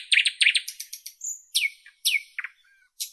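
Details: A nightingale delivers a quick series of loud chirps, a pure sustained whistle, then sweeping downward notes repeated twice, with a short stutter and a final sharp note.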